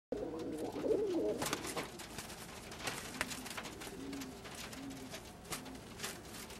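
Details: Male Old German Owl pigeons fighting over females; low cooing at the start, then short repeated coos about once a second, with wing flaps and scuffling clicks throughout in an enclosed space.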